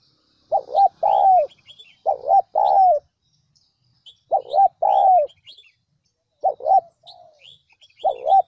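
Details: Spotted dove lure call, a recording used to provoke wild doves into cooing quickly: phrases of two or three hoarse, mellow coos, the last note drawn out and falling, in bursts separated by pauses, with small high chirps of other birds.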